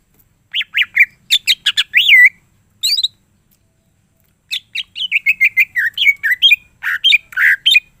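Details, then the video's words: Cucak ijo (greater green leafbird) in full isian gacor song: choppy sharp chips and looping whistles, a short pause, then a long varied stream of warbled, slurred notes and harsher bursts. "cucak ijo mana saja akan ikutan bunyi dan gacor dengar c ijo ini bongkar full isian"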